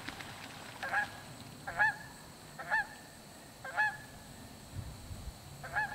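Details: Geese squawking at Shawnee Lake as double-crested cormorants fly past; a run of five nasal honks spaced roughly one second apart, each a short strained note with a bent upper tone, over steady low background rumble.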